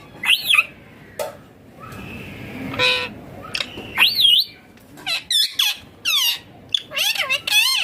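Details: Rose-ringed parakeet, the green ringneck parrot, making natural sounds while it eats: looping, wavering squeals and clipped chirps in bursts, with short gaps of faint room noise between them.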